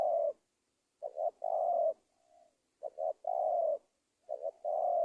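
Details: Lure call of a spotted dove for catching wild doves in Indonesia: low coo phrases of two brief notes and a longer falling note, with a soft faint hum between the phrases.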